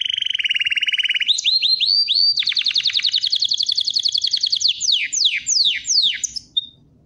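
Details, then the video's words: Singing canary: a fast low buzzy roll, then rising chirps and a long rapid high trill, finishing with several swooping downward whistles and a final thin note. "KANARYANIN MUHTEŞEM ÖTÜŞÜ"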